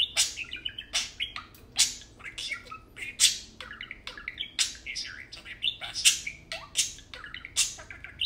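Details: Two tame parakeets chatter while playing: a rapid, unbroken mix of clicking bursts and warbled, wavering chirps.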